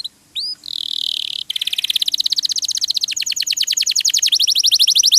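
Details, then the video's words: Canary song for masteran tutoring. A couple of whistled notes and a buzzy phrase lead into a long, fast, even trill that quickens and shifts pitch partway, over faint background hiss. "MASTERAN KENARI RAJIN BUNYI"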